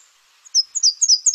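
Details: A Nashville Warbler from the Lake Tahoe area sings high, thin two-part downslurred notes, repeated about four times in a quick seesaw rhythm typical of warblers, with nothing else heard.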